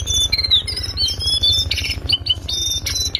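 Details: Lesser shortwing master recording for training birds, in strong ngriwik style: long clear whistled notes bending up and down, broken by scratchy bursts and quick chips, all above a constant low pulsed hum.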